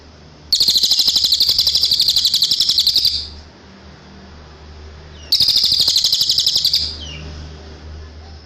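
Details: Cililin tutor song recorded for training caged birds: two dense, rapid buzzy trills of high chirps, each about two to three seconds long, separated by a quiet pause with a low background hum.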